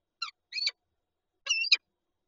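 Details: At a Lublin peregrine falcon nest with an egg, 19 March 2022: a short rasp and a grating note, then after a pause a longer whining call closing with an abrupt harsh chip.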